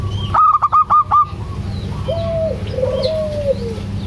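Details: Local zebra dove, a female calling a male, with a quick burst of five sharp repeated notes, followed by softer, longer, lower drawn-out coos from other doves nearby.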